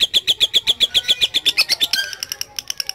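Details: Lovebird gives a series of sharp, high chirping notes about five per second, slightly slower and more separated than a trill, ending in looser irregular chirps.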